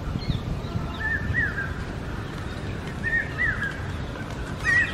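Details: Common hawk-cuckoo, the brain fever bird, calling in the forest. Shrill, rising two- and three-note whistled phrases repeat every second or two over steady low rumble and background noise.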